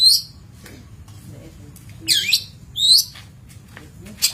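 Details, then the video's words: Long-tailed shrike, master training recording, with a high thin note, then two loud downslurred squeaky notes sweeping sharply downward, spaced under a second apart. "Masteran Cendet / Kicau Cendet"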